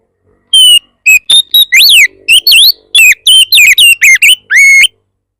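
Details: Lure song of an aggressive Oriental magpie-robin, meant to provoke other magpie-robins into answering. Bright whistles with sharp upslurs and downslurs come in a rapid string of separate notes, ending on a long, level whistle that turns up at the end.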